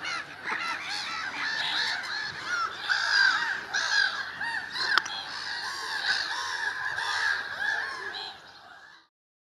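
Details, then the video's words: Gulls in early spring calling together, a dense chorus of overlapping harsh, mewing cries that rise and fall for about nine seconds before stopping abruptly at the end. "Чайки ранней весной"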